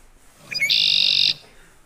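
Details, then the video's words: Male Red-winged Blackbird gives a couple of short rising notes, then a long harsh buzzy trill, the classic conk-la-ree song lasting about half a second. "that bird just told you it was a redwing black bird"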